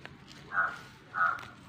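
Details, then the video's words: A crow gives two harsh, nasal caws about half a second apart, each slightly drawn out, over quiet outdoor background while an overgrown house yard is being cleared; more crows are nearby. "കാക്ക കരയുന്നുണ്ട്"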